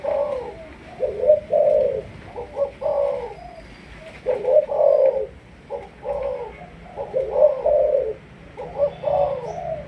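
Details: Spotted dove of Malaysian stock, a decoy bird being trained: deep, mellow cooing phrases of several notes, each with a stressed drawn-out middle, repeated steadily through the recording over a low background hum.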